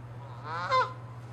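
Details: Canada goose during a territorial fight, one short harsh honk that swells and breaks off abruptly, over a constant low hum.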